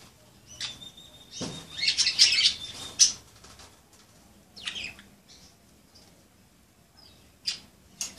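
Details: Playing pet budgerigars make a dense burst of harsh chattering chirps with a thin steady whistle, then scattered single scratchy notes; some fluttering or rustling sounds mixed in.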